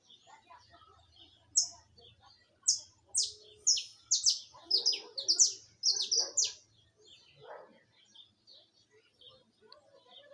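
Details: Saffron finch in live song: after a quiet start, a run of loud, sharp descending chirps speeds up into a dense cluster, then fades to soft scattered notes.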